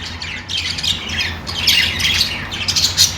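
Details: Budgerigars chirping: dense overlapping squawky chirps and warbles, high-pitched and harsh, in bursts that swell around the middle and end, over a low steady hum.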